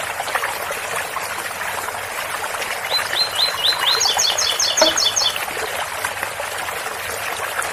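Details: Double-collared seedeater giving a tui-tui song of the Ouro Fino style, a quick run of high, sharp repeated notes near the middle, with trickling water from a spout underneath.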